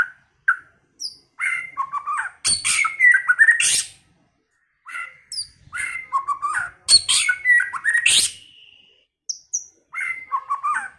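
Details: White-rumped shama with a varied, many-voiced early-season song: short whistled phrases and quick downslurred notes, then loud harsh, buzzy chattering bursts, repeated in two similar sequences with pauses between.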